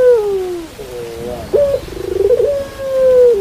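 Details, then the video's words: Pelung dove cooing, rain reportedly in the background: a falling drawn-out note, a quieter mid note, then a sharp onset into a rapid pulsing trill that ends in a long steady coo. "Suara Puter Pelung Diiringi Suara Hujan"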